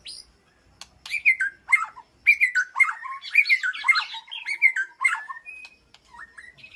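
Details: White-rumped shama in an aviary sanctuary, communicating with its flock: a rich jumble of whistles, trills and scratchy notes, a sustained outburst after a near-silent start, then a few scattered soft notes.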